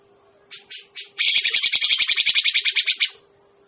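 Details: Grey-cheeked bulbul lure recording used for trapping birds: three short raspy bursts, then a loud, rapid run of about twenty harsh, buzzy pulses lasting two seconds, over a steady low electrical hum.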